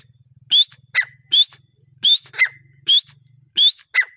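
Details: Grey partridge (teetar) in the breeding season giving loud three-note phrases: a rising whistled note followed by two sharper notes, repeated about every second and a half over a low steady hum.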